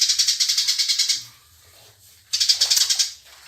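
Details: House sparrows fighting: two bursts of rapid, harsh chirping, roughly three per second, separated by a quiet gap of about a second.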